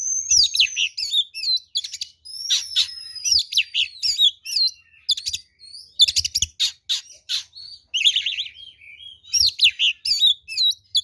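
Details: An oriental magpie-robin in aggressive fighting song, used as a lure to stir others into replying: a continuous, busy flow of piercing whistles, long thin slides, scratchy notes and rapid trills with hardly a break.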